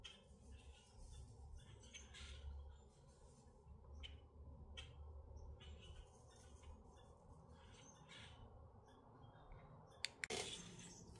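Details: Grackles calling in Minnesota: scattered short, grating squawks and chips spread through the recording over low background rumble, ending with a loud sharp knock and a burst of noise.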